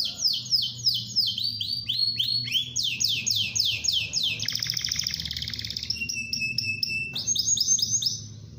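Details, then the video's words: Gacor canary giving a lure song to prompt other canaries to sing: rapid rows of downward-sweeping whistled notes, then a buzzy rattling trill, a long steady whistle and more fast sweeping notes, over a low hum. "SUARA PANCINGAN KENARI GACOR"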